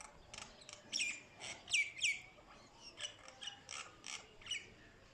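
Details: Common myna giving a run of harsh chattering notes and squeaky whistled rising calls, several per second, some louder in the middle.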